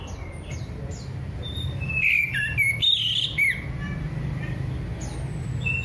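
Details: Orange-headed thrush singing to stimulate silent birds: soft chirps at first, then a loud cluster of quick, varied whistled notes in the middle, fading back to sparse high calls over low hum.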